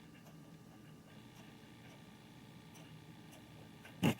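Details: A quiet indoor room hum with faint ticks ends in one sharp, loud knock.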